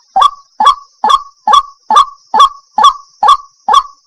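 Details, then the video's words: Daytime lure call of the white-breasted waterhen, meant to bring timid birds nearer: nine loud, nasal croaks delivered evenly at roughly two per second against a silent background. "Suara pikat burung ruak-ruak"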